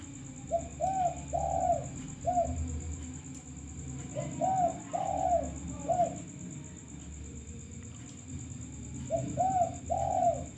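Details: Lure recording of a talkative male spotted dove cooing in three phrases of about four mellow, hollow notes each, spaced roughly every four seconds. A constant high-pitched whine and low background rumble persist throughout.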